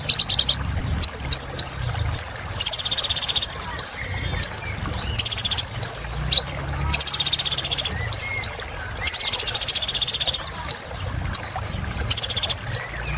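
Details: Lively little spiderhunter song of high, sharply rising whistled notes, often in pairs or threes, alternating with dense buzzy rattling trills that last about a second each, repeated throughout.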